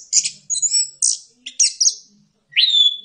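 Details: Rapid, scratchy high-pitched twittering from an orange-headed thrush lure recording, several buzzy bursts in quick succession, ending with a clear rising whistle that levels off.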